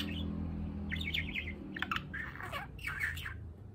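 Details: Eight-month-old male pet budgerigar practising talking: a continuous warbling chatter of quick, wavering high notes and short chirps, tumbling along with little pause in a small room.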